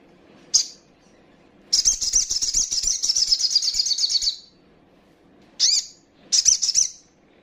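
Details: Female little spiderhunter call, used to provoke rival birds and bring males into full song: a brief high chirp, then a rapid high buzzy trill of about two and a half seconds, followed by two short sharp high notes.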